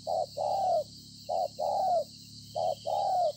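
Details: Spotted dove, wild-caught, cooing on 26 September 2020: three repeated phrases, each a short low note then a longer hollow coo that slides downward, evenly spaced about a second apart, with a steady background hiss.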